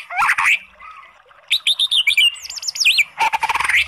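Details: Oriental magpie-robin song used to provoke a sluggish bird into singing: loud whistled slurs and rapid rising-falling notes, a bubbling trill series, then harsh buzzy rattles, in varied phrases.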